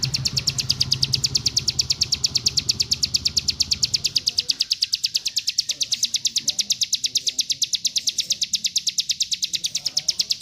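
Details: Mountain white-eye in fast song, a training recording for other birds: long unbroken series of high, evenly repeated chirps, around seven per second, with low rumbling noise early on.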